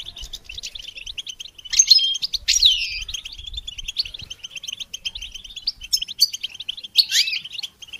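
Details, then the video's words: Goldfinch song for songbird training: continuous rapid twitter of high chirps broken by louder bursts of descending slurred notes and short trills around two, three and seven seconds. "integrated stimulation suitable for all songbirds for goldfinches"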